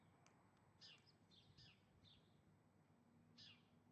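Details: Galahs returning to a backyard in the late evening after a couple of months away; a few short, harsh, screechy notes spaced irregularly over four seconds, fairly faint against low background rumble.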